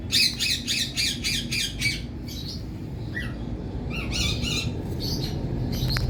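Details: Indian parrot giving loud, harsh squawks repeated rapidly in a fast rhythmic series, then a pause and more scattered raspy squawks, with steady low background noise throughout.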